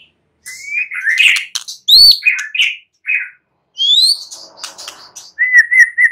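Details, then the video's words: White-rumped shama singing at night, used as a lure to draw a reply: clear whistled notes and upslurs, a sharp click near two seconds, bright downsweeping whistles, then a steady repeated whistle at the end. "Pancingan Murai batu MALAM HARI Auto NYAUT GACOR"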